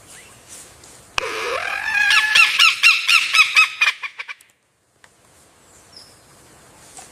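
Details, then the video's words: A lyrebird gives a rising swoop, then a burst of about a dozen rapid, ringing, chirping notes over three seconds, followed by quiet outdoor background. "The Beautiful Chirping Sound of King of Mimicry Birds, The Lyrebird"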